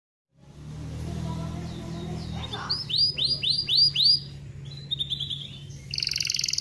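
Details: Atlantic canary tutor song, used to stimulate other birds to sing, starting after a low hum: a few loud downward-sweeping whistles followed by softer rapid trills and a buzzy high roll at the end.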